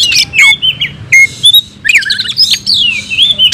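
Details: Caged kacer, the oriental magpie-robin, fighting song: loud varied whistles, downward slurs and squeaky chattering notes, phrases broken by brief pauses.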